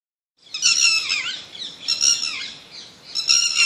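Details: Bird giving harsh, squawking calls with stacked harmonic overtones, three bursts about a second long, each with slurred downward notes, separated by brief pauses.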